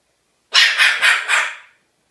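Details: A single rasping dog-like bark from a pet cockatoo, made of four fast rough pulses that fade at the end.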